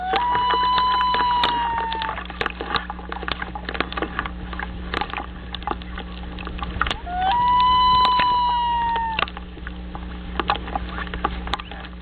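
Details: Loons returning to their nest, recorded 6 9 2011: two long, clear, tonal notes, each held about two seconds and sliding slightly downward at the end, separated by a pause, with a low steady hum and scattered clicks and knocks.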